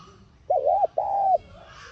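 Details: Spotted dove giving a calling coo meant to stimulate a captive bird to coo: a short wavering note, then one long, even, mellow hooted note, against a quiet background.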